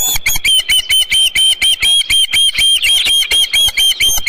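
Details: Osprey calling at its nest holding a headless fish, midday 27 June 2018; evenly spaced piercing whistled yelps, about two per second, each a short bright note with a slight upward flick.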